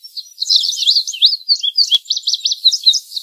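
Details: Indigo bunting singing a fast, high, busy sequence of slurred and paired notes, with a faint hiss behind and a single sharp click midway.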